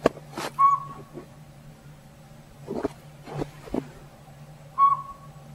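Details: A tiny Northern Pygmy-Owl, nesting in an old sapsucker hole in a hollow backyard tree that the squirrels dislike, gives two plain whistled toots about four seconds apart, mixed with sharp knocks and rustling clatter.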